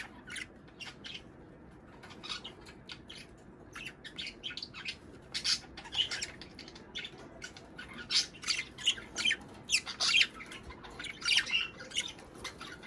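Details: Budgerigar song used to encourage mating and egg production: quiet start building into a busy stream of quick, buzzy, high chirps and clicks, growing louder and denser toward the end.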